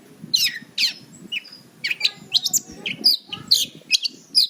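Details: Caged long-tailed shrike (cendet) singing a fast, irregular run of high, harsh chips and squeaky whistles, about two per second, some notes rising, over a faint low hum.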